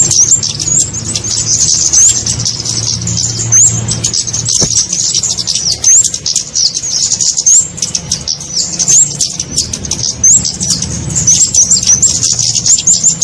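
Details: Lure call for trapping small birds such as flowerpeckers: steady busy high ticking, punctuated every second or so by brief rising whistled upstrokes, above a quiet low drone.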